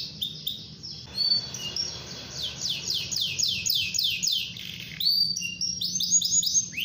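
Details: Canary song meant to spur other canaries to sing: a long series of descending slurred notes repeated several times a second, then a short pause and quicker trilled phrases.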